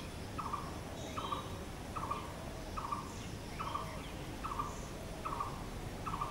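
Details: Repeated clipped notes of a blue-throated barbet, locally bosonto bouri, eight evenly spaced calls at a medium pitch, backed by soft distant bird chirps and low ambient noise.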